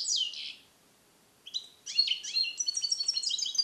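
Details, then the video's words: European goldfinch born in captivity in 2021 and taught Neapolitan passata song, isolated in a small cage: a buzzy falling note, a short silence, then quick liquid twitters and chirps that accelerate into a dense tinkling run. "Cardellino Passata Napoletana 2021 - KH24 - European Goldfinch - Jilguero cate limpio"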